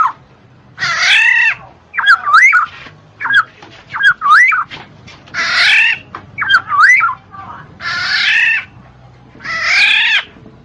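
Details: Black-naped oriole, its voice used to stimulate reluctant birds to sing: harsh, nasal drawn-out squalls alternating with shorter fluty, looping whistled notes, about one outburst each second or two.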